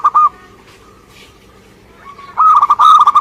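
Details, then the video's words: Local zebra dove from Indonesia singing keenly, opening with two quick coos, then a quiet gap and a faint drawn-out note, before a lively run of fast, bubbling cooing notes. "Suara Gacor perkutut lokal"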